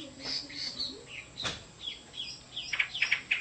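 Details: Chinese hwamei singing a run of varied whistled notes and short slurs, growing louder and denser toward the end, with a sharp click partway through.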